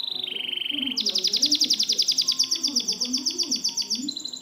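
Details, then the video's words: Canary song for training canaries that have stopped singing: a brief high trill drops to a lower pulsed phrase, then jumps into a long rapid ringing trill, with low murmuring sounds behind. "Masteran burung kenari macet"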